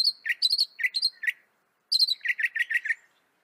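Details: Northern mockingbird of North America singing varied mimicking phrases: high whistled slurs mixed with lower chirpy notes, two bursts separated by a brief pause.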